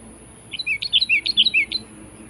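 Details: Brief phrase from a sooty-headed bulbul challenging a rival: a quick cluster of about six liquid chirps, alternating higher and lower notes, over a faint low hum.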